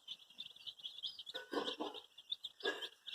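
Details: Dyed baby chicks, looking for their mother, peep constantly in high, piercing notes, with two short louder noisy bursts in the middle and near the end.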